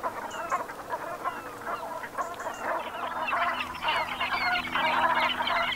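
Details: Gulf of Morbihan, Brittany, autumn sunset, 7 November 2021: a flock of Brent geese produces rapid, overlapping guttural calls, quickened chatter building in volume across the clip, with a few sharper higher notes.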